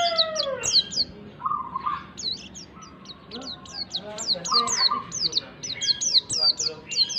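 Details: White-eye song played to coax a pleci into singing: clusters of high, steeply descending whistles with interspersed lower rasping notes, repeated in uneven bursts over seven seconds.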